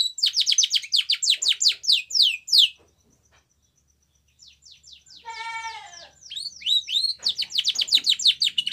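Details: White Spanish Timbrado canary song for training: a long run of quick falling chirps, a near-silent gap, a short harsh harmonic note, then more rapid high chirping trills.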